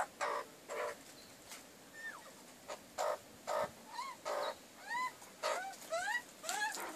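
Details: A family of backyard magpies at breakfast by a wood heap, giving harsh, scratchy bursts every half second or so, mixed with short whistled notes that slide upward and grow more frequent toward the end, over steady background hiss.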